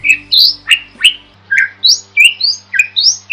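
A starling sings a fast, varied string of whistled and scratchy notes, about three per second, some rising and some falling, over a faint low hum.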